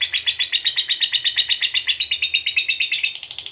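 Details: Fighter lovebird giving its long ngekek, a call meant to stir up a rival: a steady, rapid chatter of harsh high notes, roughly five a second, turning more ragged in the final second.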